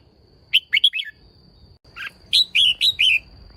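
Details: Female red-whiskered bulbul giving short, liquid chirping phrases, quick bubbly notes in two bursts with a brief pause between, meant to stir males; a faint steady high tone runs underneath.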